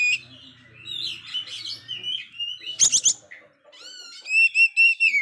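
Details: Oriental magpie-robin that failed to moult, singing heavily: soft scratchy warbling over a faint low hum, a cluster of sharp clicks, then loud repeated clear whistled sweeps.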